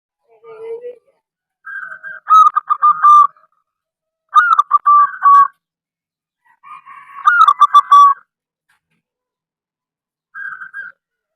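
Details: Local zebra dove, a bird that sings often, used to lure other zebra doves into singing. A low opening coo, then three bursts of rolling, stuttered cooing phrases, each ending in a steady note, with a short soft coo at the close.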